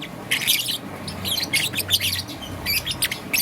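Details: Young green-and-yellow peach-faced lovebird in the morning, giving harsh, high-pitched chirps in quick clusters of bursts, with short pauses between groups and a low background hum.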